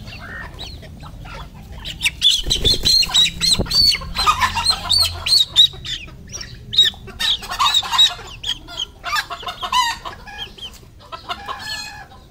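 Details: Red junglefowl on a farm in Cambodia give a busy run of short clucks and sharper high squawks, several birds calling over one another, with a dull thump early on.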